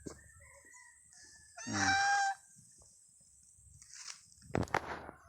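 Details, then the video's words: A goose, which its owner says is being affectionate and missed them, gives a single loud, nasal honk lasting about half a second, followed by quiet and a few soft knocks and rustles. "nag lambing si gansa na miss daw nya aqo"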